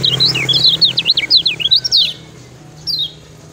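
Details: Lemon-bellied white-eye singing master song for training other birds: a fast run of high zigzag chirps for two seconds, then a pause and one lone downslurred note.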